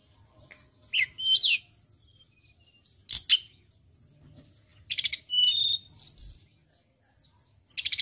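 A white-browed shortwing sings bursts of high, rapid, jumbled whistles and sharp notes, in three or four short phrases with pauses between.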